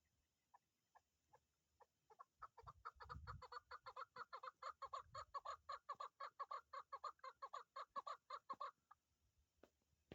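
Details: Chukar partridge calling, used as a hunting decoy: a few spaced clucks that speed up into a long, rapid run of sharp, chattering chuk notes, about two per second at first and then much faster, before stopping abruptly, with low thumps underneath.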